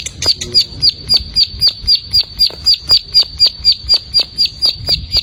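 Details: Rapid, regular run of piercing high chirps from an untrained plain prinia, each note short and sharp, about four every second, with a quiet low rumble underneath.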